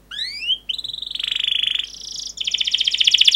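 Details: Singing canary, long 'cuit cuit' song meant to prompt young canaries to sing: rising whistled notes, then a long buzzy trill that steps up in pitch and ends in a fast pulsing rattle.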